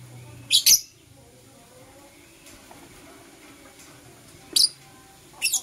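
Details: Blue Opaline and Euwing Opaline lovebirds kissing in the morning; three bursts of sharp, shrill, high chirps, some doubled, with long quiet pauses between them against faint indoor room noise.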